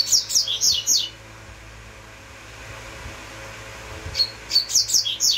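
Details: Double-collared seedeater giving bursts of high, rapid twittering notes, a short phrase at the start and another after a long quiet pause, against a low steady hum.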